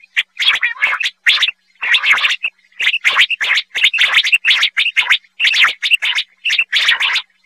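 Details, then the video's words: Quail call recording used for quail hunting: dense, rapid run of sharp chirping notes, many overlapping, repeated about once a second with brief gaps, no other sounds. "Quail Hunting Sound"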